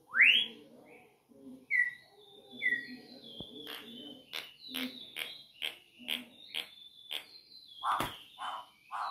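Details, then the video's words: Campo troupial singing while perched on a finger: rising whistles at the start, then a fast series of repeated sharp notes with low mellow whistles near the end. "PÁSSARO CORRUPIÃO CANTANDO EM CIMA DO DEDO!"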